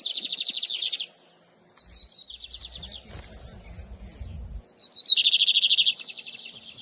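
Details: Lined seedeater song, Camelão versus Torneiro styles, 2023 season: a fast buzzy pulsed trill, a gap, short descending whistled notes, then a loud dense trill again, with brief low rumbling in the middle.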